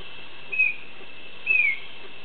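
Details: Song of a male Chestnut-backed Antbird at La Selva Biological Station, Costa Rica: two drawn-out, clear whistles about a second apart, the second slightly longer and gently falling, against a constant faint hiss.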